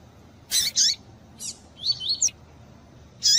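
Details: Pure tui tui double-collared seedeater paired with female calls used to warm up a male; two loud harsh chips, then a brief twittering phrase of high slurred notes and another chip at the end.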